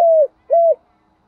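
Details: Decoy spotted dove calling to lure wild doves: two short, low, steady cooing notes, the second slightly longer and falling at its end, then silence.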